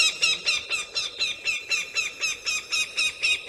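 A hawk gives a fast, steady run of shrill, squealing notes, about four each second, each one high and slightly falling, with no other clear sounds.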